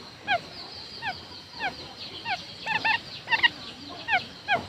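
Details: Lure quail giving clear down-slurred whistled notes with bright overtones, roughly one to two per second. Some notes come in tight doubled clusters. A faint hiss sits underneath.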